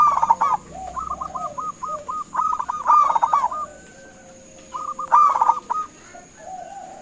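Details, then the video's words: Zebra dove of a local strain calling to draw a reply: a rolling burst, then a long chain of short even hoots rising into another loud stutter, a pause, and a final burst, with lower coos from a second bird. "Suara Panggilan Perkutut LOKAL Gacor sekali dengar langsung NYAUTIN"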